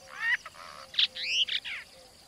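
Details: A Brahminy starling (brahminy myna, Sturnia pagodarum) in a village in India gives a quick run of slurred, nasal whistles and squeaky chatter, some notes rising and others bending down, over about two seconds, with a faint low hum underneath.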